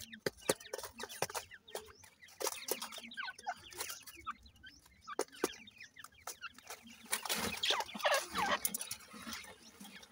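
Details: Growing francolin chicks, kept in captivity and known locally as irani teetar, chirp in rapid, uneven high peeps about three per second, alongside heavy clatter and scratching noises.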